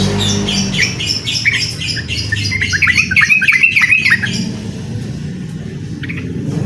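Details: Yellow-vented bulbul singing eagerly to challenge a rival in a rapid-song duel (ropel): dense bubbly chattering notes build in the middle, with thin high ringing notes early on and a steady low hum throughout.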